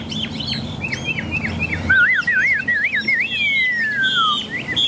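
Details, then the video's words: Chinese hwamei singing in a cage on a rainy day, moving from chirpy whistled notes to a wavy, rolling trill and then one long, smoothly falling whistle. "Họa mi xòe, Thuần đẹp mau mỏ hót hay"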